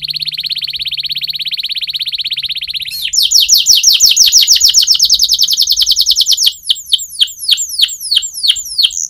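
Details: Canary training song with a long steady buzzing trill, a sudden switch to fast, loud downward-sweeping notes, then slower, spaced descending whistles.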